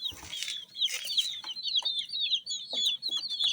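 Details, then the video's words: Many colorful baby chickens peep together in a dense, overlapping chorus of high, short chirps. Soft low thumps and rustles sound underneath. "Chicks Chirping"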